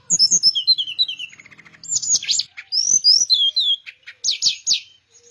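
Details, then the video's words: Teledekan Melayu flycatcher, a popular cage songbird, singing vigorously: tumbling high whistles that fall in pitch, a quiet chattering rattle, then loud sweeping whistled notes and sharp rising strokes near the end. "Suara Teledekan Melayu Gacor"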